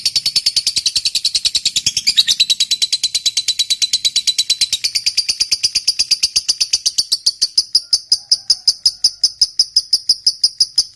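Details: Long ngekek from a lovebird fighter, a prompt for silent lovebirds: a drawn-out, rapid chatter of high harsh notes that continues for the full length, growing thinner and more clipped toward the end.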